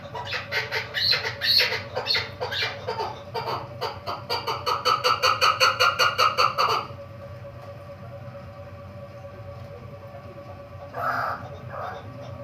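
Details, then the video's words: Female chukar partridge, caged for one month and kept for hunting, gives loud rhythmic chuck notes repeated in quick succession for about seven seconds, growing steadier and more even, then falls quiet except for one brief later note. "madi k shikar ka chakor 1 mhina howa hia pinjera ma krklik seso"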